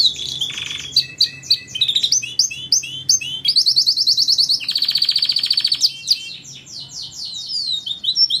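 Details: Canary song for tutoring other songbirds: bright varied chirps, a fast rattling trill, then a long buzzy trill and descending slurred notes repeated in quick succession.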